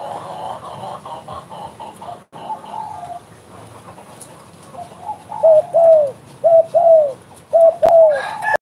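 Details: Spotted dove coos: after a noisy stretch of softer overlapping calls, clear low coo pairs begin, each a short note and a long downslurred one, repeated about once a second.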